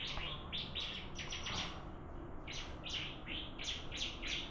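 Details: Bar-winged prinia singing in a contest, giving a steady run of loud, sharp chip notes spaced roughly every third of a second, with a faint low hum behind.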